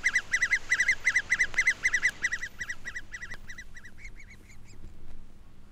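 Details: An adult great spotted woodpecker in a British wood in June calls while trying to feed its clamorous young: a fast run of nasal, chattering notes, about four a second, loud at first and then fading.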